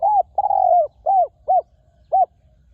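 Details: Resonant cooing of a wild spotted dove near a ground decoy: five hooting arched notes, the second long and sliding downward, the last coming after a short gap, with no other sounds.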